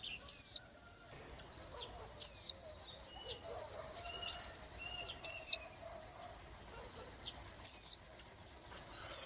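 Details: Swinhoe's white-eye repeating a high, thin, downslurred whistle five times at intervals of about two to three seconds. Steady insect drone continues throughout.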